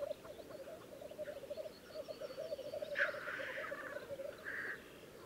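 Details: Black grouse at a spring lek in Läänemaa, Estonia, 19 April 2011: steady low bubbling coos roll on throughout, broken by a sharp hissing, sneezing burst midway and a shorter hiss near the end.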